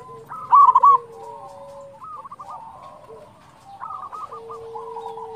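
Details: Gacor local zebra doves in song, used to encourage other doves to sing: a loud stuttering coo at the start, then overlapping chains of soft rapid coos and a long low held note.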